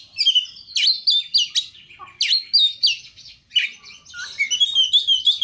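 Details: Oriental magpie-robin song used as a lure to get birds singing, with clear looping whistles swooping up and down, rapid chattering phrases and a fast warbled run at the end.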